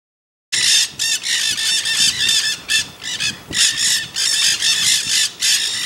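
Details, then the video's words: Nanday parakeets in the Santa Monica Mountains, Greater Los Angeles, California, on 24 October, chatter in harsh, screechy squawks, overlapping bursts repeated several times a second with barely a pause. "Nanday Parakeets Chatting"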